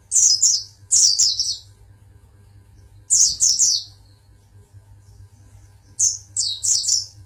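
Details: Oriental white-eye, a champion singer from Pangandaran, repeating bursts of sharp, very high chirps in quick pairs and triplets every second or two, broken by short pauses, with low electrical hum underneath.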